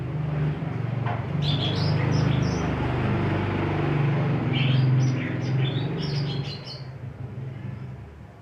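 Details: Greater green leafbird scolding as the sky suddenly turns cloudy: scattered sharp chirps and short whistled notes, some rising, some falling, over a loud steady low hum.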